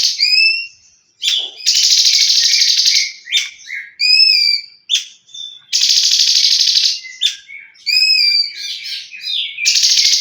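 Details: Tembakan-style leafbird song alternating loud, harsh buzzy bursts lasting about a second with clear, ringing whistled phrases and quick chips, delivered in a rapid, energetic run.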